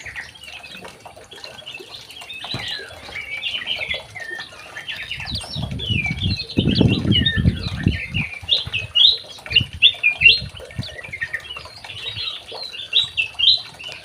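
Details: Young male white-rumped shama kept in an aviary, singing a long, varied run of quick whistled and chattering notes that continue almost without pause, over low fluttering thumps and faint background noise.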